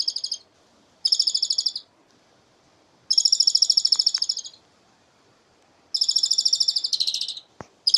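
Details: Asian pied starling singing in a way said to resemble human laughter; bursts of rapid, evenly repeated high buzzy notes, each burst lasting about one second, separated by short silences, with a single sharp click near the end.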